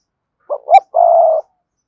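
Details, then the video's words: Single cườm sa coo phrase from a Spotted dove, used to spur other doves to coo. Two brief low notes, the second rising slightly, then a long level hoot lasting about half a second. "cu gáy thúc gù CƯỜM SA, cu gay kich boi nhanh noi gù"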